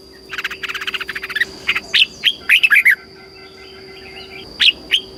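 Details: Red-whiskered bulbul in Thailand, caged, singing in the southern master style for training and stimulating birds. A rapid stuttering series of notes leads into loud, bright whistled phrases, with scattered single notes and a steady high whine.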